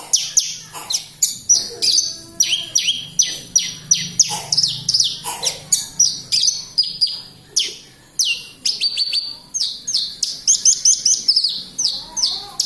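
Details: Branjangan lark from Kediri in full, sustained song: rapid strings of high chirps, trills and descending whistles delivered almost without pause, loud and energetic throughout.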